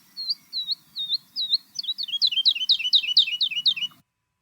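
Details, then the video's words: A woodlark sings a run of high, liquid, slurred notes that begins slowly and quickens into a rapid rolling series, with a faint low hum behind. "So the first bird is a woodlark, and the woodlark's song sounds like this."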